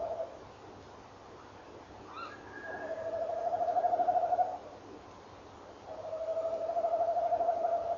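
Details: Female tawny owl answering a rolling male at 06:45, 18 November 2013: a short rising higher call with overtones, then the male's two long level vibrating trills of about 1.6 seconds each, a pause between them.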